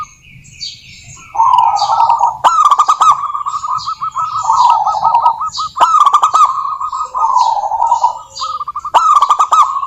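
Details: Local zebra dove singing persistently: long rolling coos broken three times by loud clicking bursts of rapid staccato notes, with lower purring phrases between. Higher chirps from other birds continue throughout.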